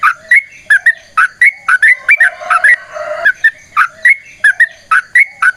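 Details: Long fighting song of a sooty-headed bulbul, meant to draw other birds into singing: quick liquid whistled phrases in steady succession, partly overlapped near the middle by a lower, more drawn-out droning sound.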